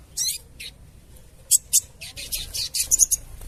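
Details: Harsh, buzzy chatter of a sooty-headed bulbul, played as a trapping lure. Short, scratchy bursts come in an uneven cluster with brief gaps, over a quiet background.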